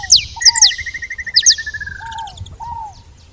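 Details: Saffron finch noise at a feeder: a few loud high downslurred chirps, then a long falling series of even mid-pitched notes, ending with soft low curved whistles and fading calls.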